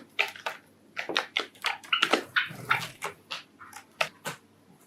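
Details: A pet Java sparrow, one of five, sings a courtship song of dry clicks and short, bright chiming notes, repeated two or three times a second, with faint room noise behind.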